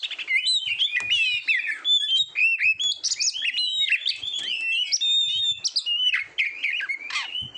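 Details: Oriental magpie-robin singing nonstop for training competition birds, a dense mix of high whistles, slurred phrases and scratchy chatter with rising and falling notes throughout.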